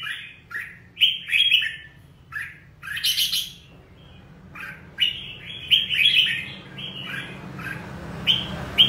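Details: Red-whiskered bulbul singing: bursts of bright whistled, slurred notes between two and four kilohertz with sharp clicky onsets, phrases repeated in clusters with short pauses, plus a low steady hum underneath.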